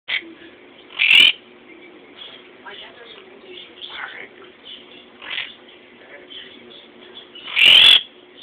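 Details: A blue Quaker parrot (monk parakeet) in a pet store gives two loud, harsh squawks about six seconds apart, with softer chattering and faint background noise in between.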